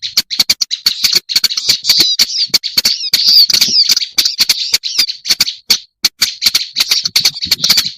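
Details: Lure recording of a black-browed reed warbler: continuous rasping, buzzy chatter at a high pitch, punctuated by many dry clicks and brief pauses, with a few sweeping whistled notes in the middle.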